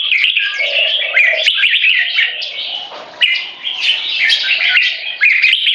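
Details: Red-whiskered Bulbul rivals, 3.5 and 7 years old, in a caged dominance battle with butir song and gaya display: busy bright chattering whistles, a short lower hum early on, and an abrupt loud restart near the end.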